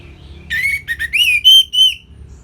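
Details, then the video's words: Orange-headed thrush song used as a training recording for songbirds: a short phrase of clear whistled notes around a rising, slurred tone, several brief syllables then two longer arched whistles. "Kicauan Simpel ANIS MERAH Gampang Untuk Ditiru Sebagai Masteran"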